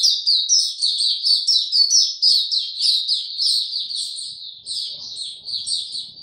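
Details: White-eye (mata puteh), kept bird without health supplements, recorded 29 April 2022, in opening song: rapid, continuous high twittering of sharp repeated notes, about two per second in clusters, gradually softening toward the end.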